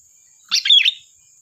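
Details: One brisk, bubbly phrase of tumbling notes lasting about half a second from a lively sooty-headed bulbul used as a lure, set against a thin constant high tone.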